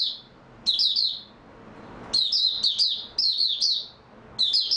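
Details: A captive Oriental white-eye (Zosterops palpebrosus), recorded 3 March 2022 after a good night's sleep, sings in quick bursts of high, thin, warbling twitters, each phrase about a second long with short pauses, in a quiet room.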